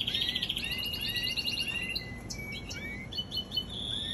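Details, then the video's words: Young canary singing softly: a fast high trill, then scattered thin rising and falling whistled notes over steady background hiss. "Baby canary"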